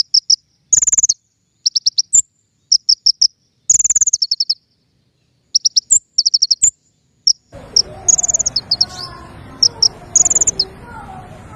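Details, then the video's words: King konin song used as a lure for trapping birds: very high, sharp chip notes in quick bursts of three to six, with trilled rattling runs, and a soft rustling background in the second half. "PIKAT KING KONIN SUARA PANCINGAN"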